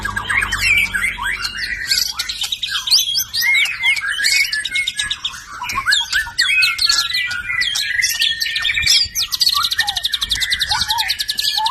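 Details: Rich, varied song of a white-rumped shama from the F (filial) series, packed with sharp chirps, sliding whistles and scratchy notes, ending in a fast buzzy rattle.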